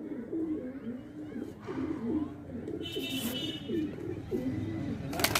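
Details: Indian pigeons in a loft, a chorus of low, throaty, bubbling coos with falling inflections repeating steadily, plus a brief higher rattling noise midway and a sharp clatter at the end.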